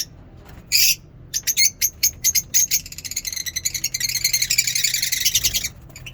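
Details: Lovebirds in a mini zoo in the morning: a loud shriek, then a run of rhythmic clipped chirps that speed up into a dense, buzzing chatter of many birds.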